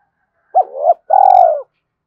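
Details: Spotted dove call played to lure wild doves. A quick upturned note runs into a low hum, then after a short break comes a drawn-out, buzzy coo that sinks at the end. The background is otherwise silent.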